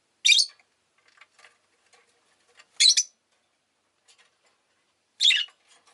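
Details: Pet rosy-faced lovebirds repeat loud, harsh screeching calls roughly every two and a half seconds, with soft scratchy chatter in between.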